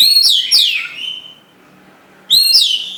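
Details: Oriental magpie-robin song in two bright bursts: quick descending whistled slurs with a fading tail, a pause of over a second, then another sweeping whistled phrase.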